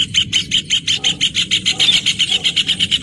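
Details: Rufous hornero delivering a steady, fast string of loud piercing notes, roughly six per second, continuing throughout, with soft lower-pitched chatter and low background hum beneath.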